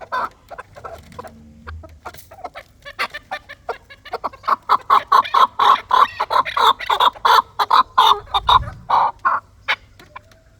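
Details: Chukar partridge giving a rhythmic chuk-chuk series of short, harsh notes, about one and a half per second, that builds from scattered clucks into a steady, insistent chant before fading.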